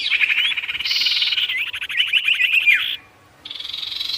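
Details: Sirtu singing vigorously for luring wild birds: dense buzzy trills mixed with rising and falling whistled slurs, continuous for about three seconds, a short gap, then a steady high rattle resumes.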